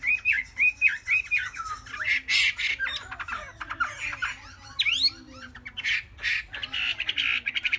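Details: Chinese hwamei, a caged three-month-old, starts with four quick looping whistles, then harsh squawky bursts and scratchy notes, ending in a rapid series of short sharp chips.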